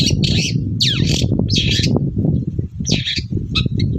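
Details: Lively morning song of a long-tailed shrike, used as a lure for other shrikes: harsh buzzy bursts and one sweeping whistled slur, then a pause and more scratchy notes, over steady low rumble.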